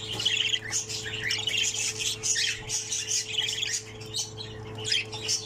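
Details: Pseudo Texas opaline budgie chick, the last of six left in the nest, producing rapid grating squawks in pulsing clusters about every half second, over a low droning hum.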